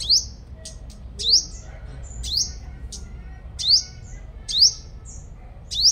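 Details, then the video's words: A sunbird in Long Thành, Đồng Nai gives thin, very high, sharply rising notes, repeated about once a second with small twittering notes between, over a faint low rumble. "Chim Hút Mật 5 Màu Mồi Siêu Hót"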